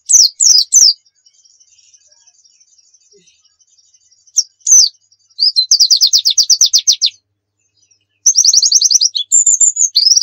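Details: White-eye in 'nembak' style for training: a few sharp high whistles, a faint sustained thin tone, then fast even trills of rapidly repeated high notes, with quick whistled notes at the end.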